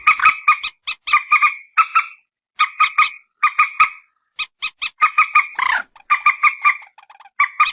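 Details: Common moorhen (mandar batu) phone recording: fast chattering bursts of nasal, clucking notes repeated in groups, with one longer squealing note near the end amid the continuing cackle.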